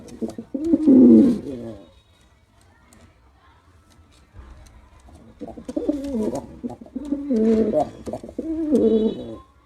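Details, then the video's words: Male pigeon performing: a loud throaty coo near the start, a quiet pause, then several repeated low rolling coos with wavering pitch in the second half. "Pigeon Sound Effect || Male Pigeon Super Performance || Male Pigeon Sound"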